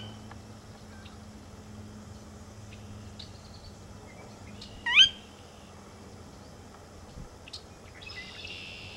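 A Sora gives one sharp, rising whistled note, like a quick upslurred 'ker-wee', over a quiet marsh background with faint chirps from other birds.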